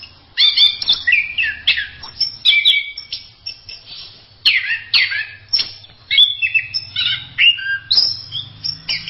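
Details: Masteran-style song of an orange-headed thrush: bursts of bright whistled and chattering phrases, each under a second, separated by short pauses, with a faint low hum underneath.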